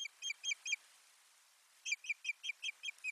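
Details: Osprey at nest 3 in Finland on 1 May 2020, bringing soft nesting material into the nest; two bursts of short, sharp, whistled chirps, four then seven, repeated several times a second, with a quiet pause between and no other sounds.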